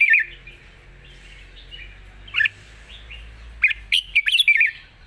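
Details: Light, long-phrased wild-style song from a Red-whiskered bulbul: scattered soft whistles and single notes, building to a quick bubbling phrase of bright warbled notes near the end.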